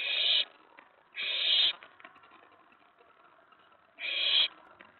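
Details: Owlet excited inside its box at night, May 19 2017, as another owl or owlet settles on the tray after a delivered mouse; three coarse, breathy screeches of roughly half a second each, irregularly spaced.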